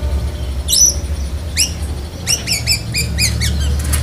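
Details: Black-breasted White-rumped shama, caged, singing with cotton-wad style and lovebird mimicry: sharp rising-falling chirps and rapid harmonic notes in bursts, over a steady low hum.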